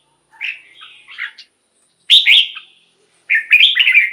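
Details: Red-whiskered bulbul song for exciting caged birds: a soft warbled phrase, then two louder bright slurred phrases separated by short silences.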